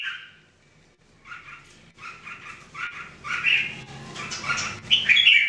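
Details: Three caged Red-whiskered Bulbuls practising daily song, a voice test; after a quiet start, short chirpy notes repeat about four per second, growing louder and higher into bright, scratchy warbled phrases by the end.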